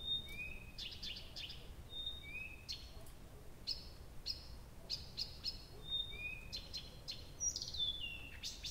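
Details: All-night singing of a nightingale, Abramtsevo, start of June 2021, after 23:00; level whistles answered by lower rising notes, interleaved with rapid hard clicks in short bursts, steady quiet background.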